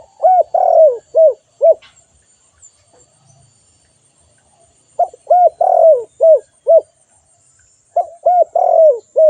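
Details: Calling spotted dove: a series of low, rounded coos grouped into three phrases. Each phrase has a drawn-out, slurred middle note, with quiet gaps between phrases.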